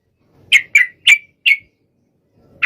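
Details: Sooty-headed bulbul calling out to a rival with four short, clear, slightly downslurred chirps spaced evenly, then a pause and the start of another note.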